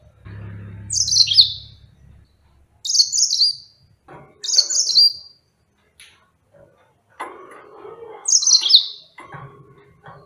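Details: Yellow-fronted canary, a pet songbird, repeating brief shrill descending twitters four times at uneven intervals of one to four seconds; soft rustling and a brief low hum between phrases.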